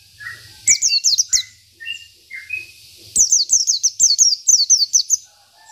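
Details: Oriental white-eye of a local Indonesian strain delivering 'isian' filler song as tutor material: brief high downslurred note groups, soft mid-pitched chirps, then a long rapid run of sharp descending whistles.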